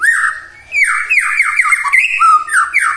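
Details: White-rumped shama singing, a morning lure so silent birds join in: fluent whistled song of looping slurs and falling notes, one after another without pause after a brief opening phrase.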